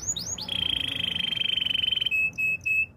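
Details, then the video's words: Training song of a Belgian canary: a few upward slurred notes, then a long rapid pulsing trill, ending with three short clear whistled notes separated by brief pauses. "Canary training song - Belgian canary singing"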